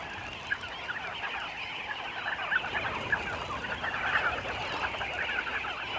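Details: Sandgrouse by the hundreds to thousands arriving at a small waterhole in northern Namibia's desert, birds impatient: a dense, continuous chorus of overlapping chattering calls, a steady wall of sound with occasional louder notes.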